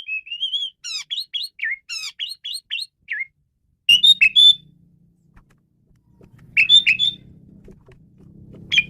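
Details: Male Asian pied starling singing a varied song meant for luring birds: a wavering whistle, then a fast series of down-slurred chirps, later whistled bursts over a low hum.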